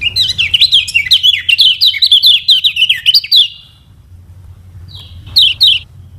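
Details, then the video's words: A lemon-bellied white-eye, the Lombok yellow kecial, pours out a fast varied warbling string of high twittering notes for about three and a half seconds, then pauses and adds a couple of sharp chirps, as a model song for other birds. "KECIAL KUNING PANCINGAN UNTUK BURUNG BELAJAR BUNYI DAN MALAS BUNYI"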